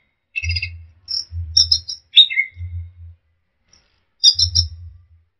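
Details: Punglor ground thrush singing actively in a training recording. Short bursts of high, buzzy, layered chatter alternate with a falling whistled slur, separated by pauses, over a low rumbling hum.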